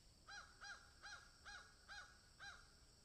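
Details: Crow in a field giving six separate hoarse caws, each a short arched nasal note, spaced roughly half a second apart at a steady, unhurried pace.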